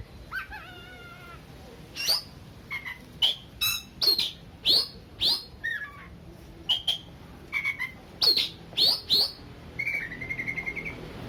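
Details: Oriental magpie-robin song used to stir aggression in a less combative bird: a varied run of sharp downslurred chirps, short whistles and squeaky notes, spaced irregularly, ending in a rapid buzzy trill.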